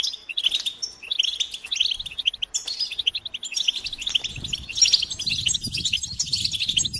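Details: Collective batbata of European goldfinches, with courtship and readiness calls played to stimulate males; steady rapid twittering and buzzy trills, with faint low rumbling creeping in during the second half.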